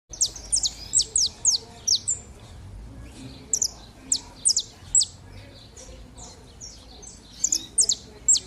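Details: Pair of saffron finches warming up, giving bursts of sharp, high chirped notes in quick runs of three to six, with short pauses between bursts; faint low background noise.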